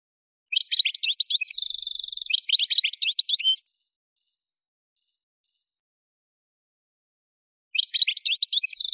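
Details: From Souk Ahras, Algeria (Kef El Hamam), an Algerian goldfinch of subspecies parva sings a three-second phrase of tinkling twitters with a buzzy trill in the middle, falls silent for about four seconds, then starts twittering again.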